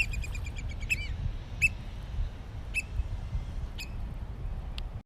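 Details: Oystercatchers at Stratford Point Sanctuary on May 4, 2021, courtship dance: a brief quick piping burst, then single high, ringing peeps about once a second, with a steady wind rumble.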